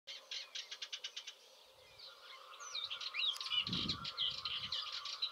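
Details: A rock sparrow at a spectacular castle site on the Iberian Peninsula: a quick run of about ten clipped chirps, then a jumbled series of squeaky, twittering notes, with a soft low thump in the background.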